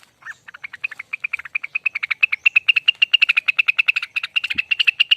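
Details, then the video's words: Rengganis, or lesser green leafbird, singing its long ropel style: a few soft, scattered notes that quickly swell into a loud, rapid, evenly repeated series of sharp, ringing chips. "Suara ropel panjang burung Rengganis"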